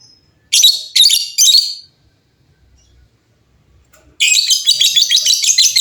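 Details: Lovebirds calling back and forth noisily. Three quick harsh squawks in a row, a short silence, then a continuous jumble of rapid scratchy chatter to the end.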